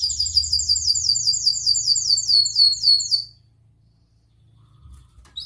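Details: Canary song for teaching young canaries: a rapid run of high, evenly repeated chirps lasting about three seconds, then near quiet with a faint low hum.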